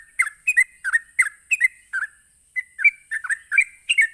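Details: A sooty-headed bulbul sings a rapid 'ropelan' song, used to provoke other bulbuls. Paired bubbly whistled notes, a short pause near the middle, then a quicker run of rising slurs, with a thin constant hiss behind.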